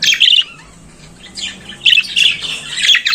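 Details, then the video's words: Budgerigar morning chatter: a short squeaky burst, a quieter pause, then harsher buzzy, squawking notes running on to the end. "Periquito Australiano Cantando pela Manhã"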